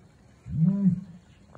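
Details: Red/Blue ostrich male on an ostrich farm in San Diego, booming early in the morning; a single short deep hooting boom, swelling and fading within half a second.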